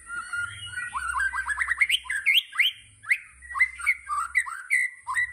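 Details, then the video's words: Murai batu (white-rumped shama) tembakan song: an accelerating string of up-sweeping whistled notes climbing in pitch, followed by varied rich warbles and sharp chips in quick succession, with a steady faint high hiss. "Tembakan Murai Batu Yang Membuat Kita Tidak Bosan Menontonnya Berkali-kali || WHITE RUMPED SHAMA"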